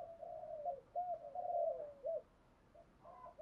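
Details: Decoy spotted dove calling to lure other doves, heard faintly over steady background hiss: a rolling run of soft coos, then scattered quieter notes.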